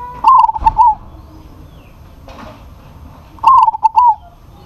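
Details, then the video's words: Local zebra dove calling out to a rival bird that answers back, giving two cooing phrases about three seconds apart, each a rapid bubbling run of clipped notes closing on a longer, softly dropping coo. "PERKUTUT LOKAL GACOR MEMANGGIL LAWAN PASTI NYAUT"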